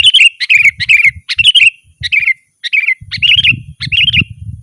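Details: Sooty-headed bulbul singing full gacor and ngeroll, a rolling chatter used to call wild birds: rapid bright bubbly phrases tumbling one after another with short gaps, some low thumping noise beneath.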